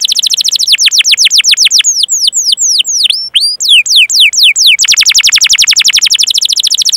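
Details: Long, lively canary song, a rolling 'cuit cuit' training song played to draw singing from young, untrained or silent canaries: rapid downward-sweeping notes, then slower whistled falling slurs, then a fast, buzzy, evenly repeated trill.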